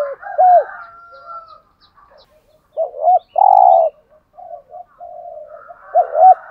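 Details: Spotted dove (cu gáy, cu đất) in the 'hạp bổi' voice, cooing to rouse caged males: two short arched low notes followed by a long steady coo, repeated twice, with faint whistles and chirps between phrases.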